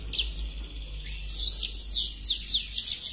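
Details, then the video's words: Singing black-throated canary in breeding condition with wings spread: faint high chirps give way to loud, fast descending whistled slurs repeated about four times per second, with a constant low hum behind. "Blacktroth gacor bukasayap birahi"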